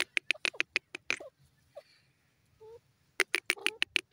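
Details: Grey francolin calls: a fast run of loud, sharp clicking notes, then a pause with soft low notes, then another rapid clicking series, about three notes per second.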